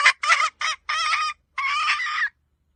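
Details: Red junglefowl hen used as a hunting decoy: a burst of loud, coarse, grating calls, three short then two longer drawn-out rasps, ending in silence.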